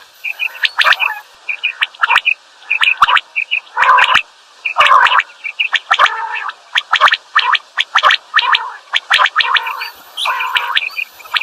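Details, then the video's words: Common quail calling in quick, liquid, clipped notes, about one burst per second, overlapping as if two birds answer each other; a faint steady hum runs underneath. "Batair Ki double Awazay| Quail sounds | Batair Ki Awaz |Common Quail Calling"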